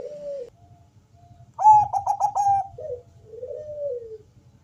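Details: Deep-voiced Bangkok zebra dove singing to provoke other doves into calling. Its song is a soft coo, a rapid string of ringing staccato notes, then a slow falling coo, over a steady low rumble.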